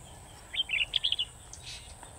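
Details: Red-whiskered bulbul during a bird-trapping session with a decoy bird, recorded 17 August 2020: a quick, bright run of about eight short chirpy notes in under a second, then a softer note, over a low steady background hum.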